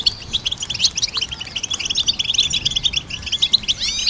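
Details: Goldfinch singing, meant to support and train songbirds: quick, liquid twittering of clipped high notes strung into a lively chatter, closing with a few upward-sweeping whistles.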